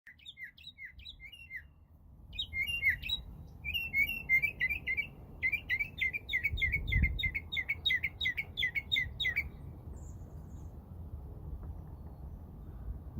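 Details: Mockingbird singing in spring from crepe myrtle trees, a series of quick, high chirping phrases, each note repeated rapidly in bursts, changing pattern every few seconds before fading into quiet background hum.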